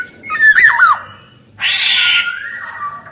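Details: Black-naped oriole, male and female voices: a looping whistled phrase, then a drawn-out nasal, cat-like rasping note trailing into a steady whistle.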